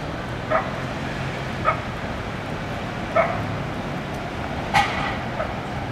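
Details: Wild turkey at Belgrade Zoo, Serbia, in 2021, gives four short, clipped mid-pitched yelps at uneven intervals of one to two seconds over a steady background rumble.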